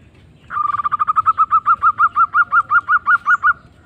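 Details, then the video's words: Local zebra dove in full song: a single sustained run of about twenty rapid cooing notes, each slightly rising then falling, gradually slowing and spreading out over three seconds against a faint low hum. "Kumpulan suara terbaik Perkutut Lokal Gacor"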